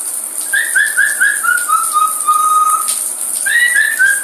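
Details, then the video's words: A parrot singing in the shower whistles a run of short, clear notes that slide downward, holds one long steady very high tone, then repeats the phrase, over a constant hiss of running water. "Parrot Goes To A Very High Pitch While Singing"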